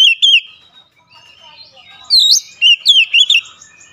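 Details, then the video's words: Oriental magpie-robin singing with wide-open beak in a sharp, fiery song: a few loud high whistled notes, a quiet pause, then a fast run of bright looping whistles. "KICAUAN KACER BUKA PARUH LEBAR TEMBAKAN PEDAS"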